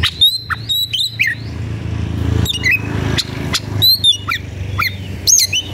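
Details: Agitated White-rumped shama seeking a fighting rival: scattered whistled notes and harsh rasping bursts separated by pauses, with a steady low engine-like rumble throughout.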